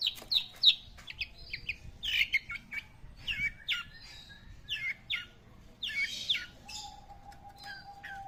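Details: Long-tailed shrike singing energetically, mixing scratchy chirps, harsh noisy bursts and downslurred whistles in rapid succession, ending with a thin steady tone during the last seconds.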